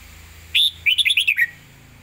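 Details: Red-whiskered bulbul performing a rapid Thai zone song: a sharp opening whistle followed by a quick tumbling string of about six bright, bubbly notes descending slightly, over a low steady hum.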